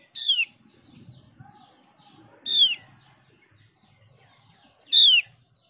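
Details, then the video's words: Mees's white-eye sound played to coax other white-eyes into singing; a bright descending whistle repeats three times roughly every two and a half seconds, with faint low rumbling between. "Pancingan opior jawa biar gacor"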